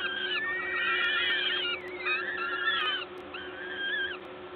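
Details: Peregrine falcons at a nest at the LOTOS site in Gdańsk, Poland, 14 May 2022 around 11:07, while an adult feeds. Several overlapping whining, arched calls slide up and down, with steady low hum behind.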